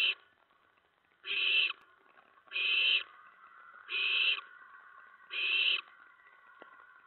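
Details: Owl nest at night, 10 September 2017, near 2 AM, with adults delivering mice and a rat; a regular run of raspy hiss bursts, about every 1.4 seconds, with a low steady hum beneath.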